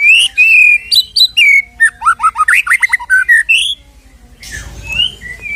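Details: White-rumped shama with loud, fast song used to bring back a shama's fighter spirit: strong whistles, a quick series of falling and rising chirps, then a pause and softer whistles over background hiss.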